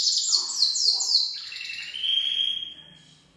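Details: Gloster canary singing its full song: quick repeated downward-sweeping high notes, about four per second, followed by a long steady whistled note that fades away.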